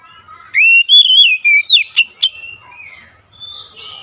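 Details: Oriental magpie-robin lure song for stubborn, silent birds: a bright, wavering whistled phrase of several held notes, followed by two rapid sharp chips, then soft fading twitters.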